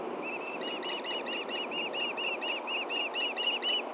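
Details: Wild osprey at a nest in Hellgate Canyon, Montana, on a June morning at 9 AM, the male having brought a fish to the female; a steady string of sharp, whistled chirps, about eight a second, over a constant broadband rushing background.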